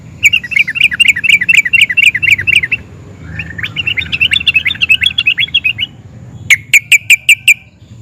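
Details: Excited yellow-vented bulbul singing to make other bulbuls answer: a run of rapid chattering notes, a buzzier rolling trill, then five sharp, evenly spaced chips over low background rumble.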